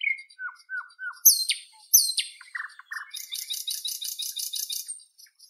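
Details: Nightingale from northern Europe: three soft low whistles, two loud descending high sweeps, a cluster of clicking notes, then a long run of rapid, even, buzzy pulses.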